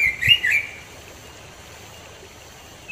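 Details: Single short sweet warbled phrase from a robin in the mountains of East Java, quickly ending in quiet background hiss.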